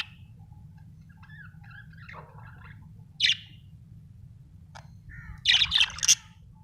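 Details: Chattering budgie notes: soft scattered twitters and little whistles, one loud harsh chirp past three seconds, then a cluster of loud rasping high chirps near the end, over a constant low background hum.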